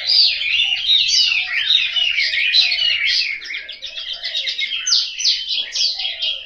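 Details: Chinese hwamei kept in a cage at home in Hanoi, rattling off fast whistled notes, then a series of rapid repeated downward-sweeping notes later in the song.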